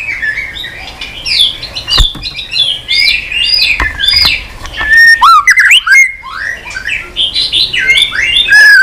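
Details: White-rumped shama singing tirelessly in many strange voices while flicking its tail on the perch. Rich, jumbled warbling of rising and falling whistles, with sharp slurred notes toward the end.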